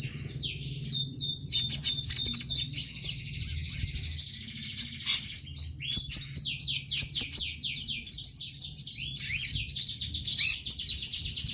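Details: Used to tutor konin sunbirds and prompt them to open their beaks and sing, this recording holds sustained, shrill twittering. It is a rapid sequence of downslurred high notes in long, almost continuous strings.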